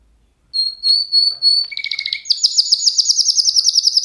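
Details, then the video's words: Singing canary opens with a sustained thin whistle, moves into a short low buzzy roll, then bursts into a rapid high trill of repeated notes that continues to the end. "Kanarya sesi | Kanarya ötüşü | Canary Sound"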